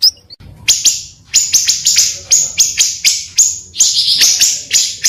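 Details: Pancawarna bird, recorded for luring and song tutoring, giving a rough sequence of harsh, hissing high notes with sharp onsets that trail off, delivered irregularly about two per second.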